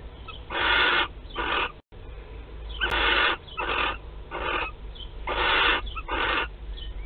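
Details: Western barn owl in a nest box at Théding, France, on 15 March 2021, during the laying of the first egg. Harsh, breathy hissing screeches come in about eight rasping bursts of roughly half a second each, over a low background hum.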